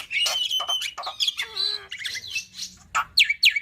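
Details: Varied black-winged myna song used to tutor young birds, with 'tembakan' fills: drawn-out whistles, scratchy warbles, a low gliding note and two sharp rising chirps at the end.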